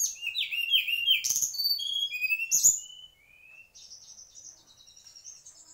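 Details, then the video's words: Mangrove Whistler, native mangrove bird (tledekan bakau), singing a rapid run of clear, slurred whistles, many falling, loud for three seconds, then trailing off into softer, high notes. "Tledekan asli bakau"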